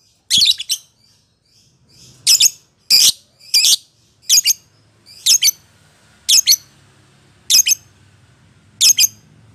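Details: Lovebird recording used as bait to provoke caged lovebirds into ngekek chattering: harsh, high, buzzy squawks in short bursts, about nine over ten seconds with irregular gaps, over a faint low hum.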